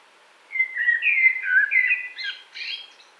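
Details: Blackbird song recorded in 2018 at Wittlich: one continuous warbled phrase of rich, wavering fluted whistles, closing with a scratchy, higher-pitched squeaky tail.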